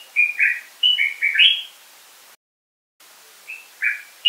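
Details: Common bulbul singing a lively phrase of six or seven mellow, gurgling whistled notes, then a brief break and a few more scattered notes alternating between lower and higher pitch.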